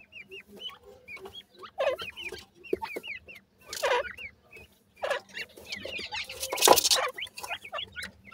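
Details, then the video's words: Young grey francolin chicks calling with many thin, high, hooked peeps in clusters, interrupted by several loud rustling or scraping bursts. "grey francolin bird wonderfull chicks,bhura teetar chicks hot voice"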